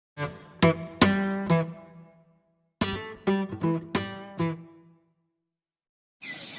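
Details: Plucked acoustic guitar chords in short bursts separated by silent pauses, ending with a brief noisy burst and no animal sound.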